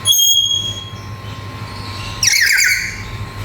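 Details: Black-capped lory, a colourful lory said to be able to talk: a clear, thin whistled tone at the start, then a loud, harsh, raspy squawk after about two seconds, with a steady low hum behind.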